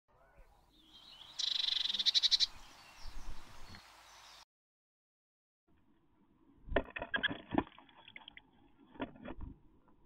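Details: Eurasian blue tit at a nest box during incubation, as the male brings caterpillars to the sitting female about every 20 minutes, gives a high, buzzy, quivering trill of about a second, then dull scratching and knocking sounds.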